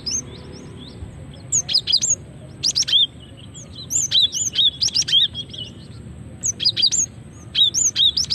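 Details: Female cinereous tit calling, used to lure birds and get them singing: repeated bursts of rapid high chirps mixed with short upslurred whistles, several groups about a second apart, steady and lively throughout over faint low hum.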